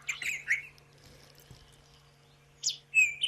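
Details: White-throated robin-chat at sunrise, Sabi Sand, 9 September 2016: sweet, high whistled phrases, a few quick bursts at the start and again near the end, with a low steady hum underneath.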